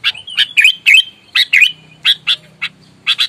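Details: Aggressive sooty-headed bulbul in fighting mood: spaced harsh notes, several bending into brief slurred whistles, roughly four per second at first, then sparser single and paired calls.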